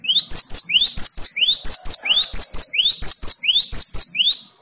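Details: Great tit answering the song of another great tit used as a lure. A steady series of bright phrases, each a quick upward-sweeping whistle ending in a piercing high note, repeated rhythmically for over four seconds in clear, quiet surroundings.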